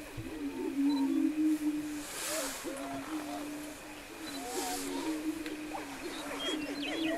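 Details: Several Greater Prairie-Chickens on a lek near Wray, Colorado, 17 April 2011, boom in a low, hollow, overlapping drone, with frequent whooping cackles and yelps rising and falling above it.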